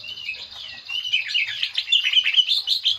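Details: Green leafbird lure song for drawing out song fillers: dense, scratchy, warbling chatter of quick twittering notes, rising in intensity.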